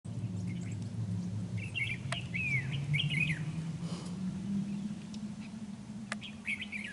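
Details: Red-whiskered bulbul used as a decoy during trapping, recorded 31 January 2019 in Vietnam; short warbled, slurred phrases with a brief downward-curving note, given in two bursts over a steady low droning hum.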